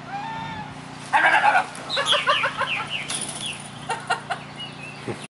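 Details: Swan goose in a backyard, being played with by a dog, gives harsh, nasal honks and cackles in a rapid, uneven burst lasting several seconds, over a steady low hum.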